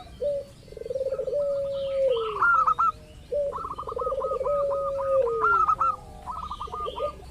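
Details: Zebra dove lure recording of a local bird, meant to provoke other doves into calling: two long rolling coos that tremble then fall away, each answered by quick strings of short sharper notes.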